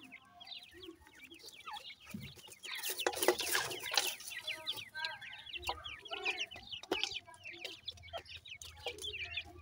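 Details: Francolin (teetar) chicks feeding, giving dense overlapping high thin cheeps that rise and fall in quick succession. Broad rustling and handling noises from the feeding run through the chirping.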